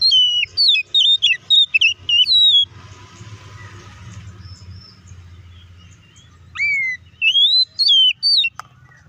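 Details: Oriental magpie-robin provoking song: rapid bright whistled phrases with sharp downslurs open the clip, broken by a few seconds of rushing noise, then a rising whistle leads into more loud, varied whistles.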